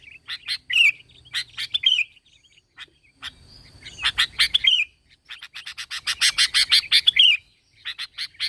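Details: Sooty-headed bulbul singing energetically for use as a lure: chirps and liquid whistled phrases, then a long rapid run of harsh repeated notes ending in a warble, and a final short chirp series.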